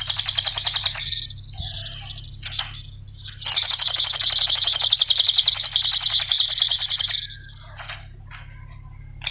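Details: Cililin song used as a training lure for other songbirds: a long, fast, dense buzzy trill of rapid repeated high notes, about three to four per second, broken by short pauses and softer chips, over a steady low hum.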